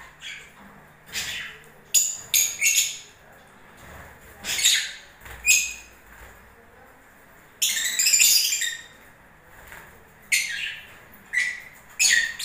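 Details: Breeding-season lovebirds uttering sharp shrill squeaks and short harsh screeches in scattered bursts, one longer noisy chattering outburst around the middle, quiet pauses between.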